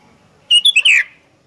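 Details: Lively sooty-headed bulbul lure call: three short, sharp whistled notes followed by a longer, falling, throaty slur, all within about half a second, then quiet.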